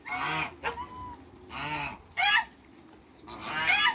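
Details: Backyard group of African geese, two males and a female, giving harsh, brassy honks in bursts roughly every second or so, some honks rising sharply and others flatter and drawn out.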